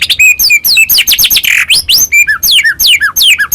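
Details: Medan white-rumped shama in energetic lure song: dense, loud high whistles, many sharply falling and rising, packed closely with a brief harsh note in the middle.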